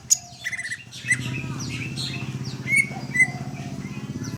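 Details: Greater green leafbird singing a busy mix of clear whistled notes, quick chirps and short buzzy phrases, with a continuous low rumbling hum in the background.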